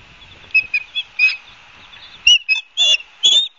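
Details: Osprey calls recorded at Barnegat Light, New Jersey, 12 September 2022: irregular high whistled chirps, some short and clipped, others longer and slightly rising, in loose bursts.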